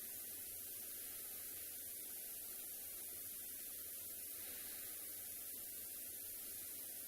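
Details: Faint steady electrical hum and hissing static continue throughout, with no animal voices.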